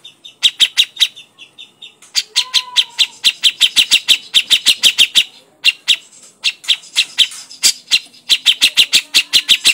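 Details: Grey-cheeked bulbul crecetan: steady streams of short, sharp, ticking notes, several per second, in bursts separated by brief pauses, dry and chattering throughout with no other sounds.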